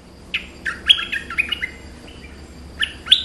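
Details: Streak-eared bulbul (Pycnonotus conradi), song.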